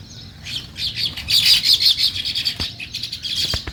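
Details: Sparrows chirping in a natural morning scene: dense, overlapping high chirps and tweets, busiest in the middle, with several callers heard at once and a few sharp clicks near the end.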